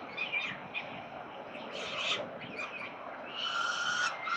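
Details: At a peregrine falcon nest in Melbourne, Australia, 13 November 2022, rough, strained calls come in short bursts. A longer, tonal wailing note closes the sequence against constant urban background noise.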